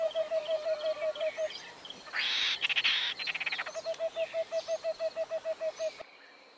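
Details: Agitated pair of acacia pied barbets duetting: a steady series of nasal hooting notes repeated about four times per second, interrupted by a burst of scratchy, rasping sounds before the hooting resumes; a constant high whine in the background.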